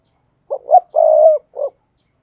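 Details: Spotted dove decoy call for rousing wild doves via speaker playback; two short hoots, a long smooth coo, then a final short closing note, recorded without noise.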